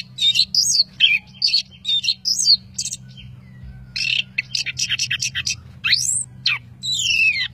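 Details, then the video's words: Orange-headed thrush in vigorous gacor song, a master recording with plentiful fill: bright, high whistled and chattering phrases in quick bursts, sharply rising and falling sweeps near the end, separated by brief pauses. "Anis Kembang Gacoor Dor Mental Baja"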